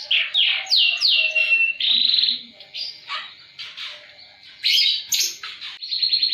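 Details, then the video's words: Canary song in the high-and-low style, played to prompt quiet canaries to sing: a run of steeply falling whistles, buzzy held notes and varied chirps separated by brief gaps. "KENARI GACOR ATAS BAWAH || cocok buat pancingan kenari macet bunyi & masteran burung"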